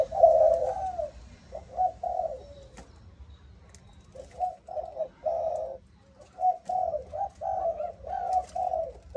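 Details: Spotted dove of the Malaysian 'âm thổ' line. It gives a loud opening coo, then quieter repeated phrases of hollow low notes, with a brief gap mid-way before a steady closing series. Faint clicks and hum are heard behind.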